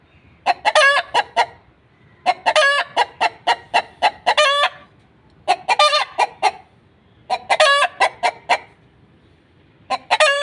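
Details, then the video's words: Hen announcing an egg with an insistent cackle: five rhythmic bursts of clipped clucks, each capped by a prolonged raucous cry. The pauses between bursts are short. "Hen Clucking Sounds | Chicken Sound | murge ki awaaz | hen egg"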